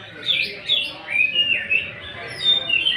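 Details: Greater green leafbird, a kept songbird, in a full bursting song used as a lure to stir other birds into singing: a continuous run of high, slurred whistles and sharp chattering notes in quick rising and falling phrases, loudest in short bursts.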